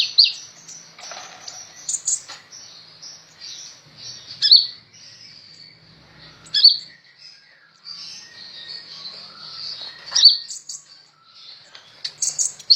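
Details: Sunbird in top singing form, used to tutor other birds: long sequence of piercing high twitters and sizzling trills, punctuated every few seconds by loud sharp accented notes.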